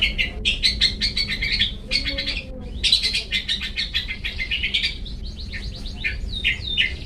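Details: Long-tailed shrike song in the "toet toet" style used to train pet birds: dense, rapid chattering and trilled chirps in long runs, ending in a few looping, swept whistles.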